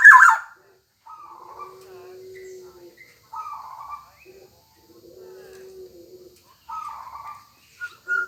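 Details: Black-naped oriole, locally kepodang emas, singing actively: short fluty whistled phrases near mid pitch at about three-second intervals, opening with a brief harsh burst, over a faint steady low tone.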